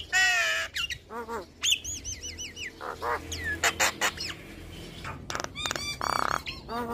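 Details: Jalak kebo, the black-winged starling, singing busily with nodding display: a loud harsh screech opens, followed by looping wavering whistles, clipped chatters and buzzy rasps.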